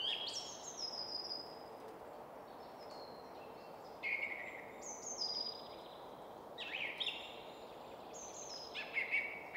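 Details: Song thrush singing from the top of a spruce in quiet suburban woodland at Väsby sjöäng near Stockholm, Sweden: bright high whistled phrases with sliding notes, several short bursts separated by pauses, over a steady low traffic hum.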